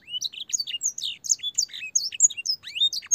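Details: Master song from a canary, full of blackthroat and sanger phrases for teaching young canaries: bright, high chirps and rising and falling whistles in an uneven, lively sequence.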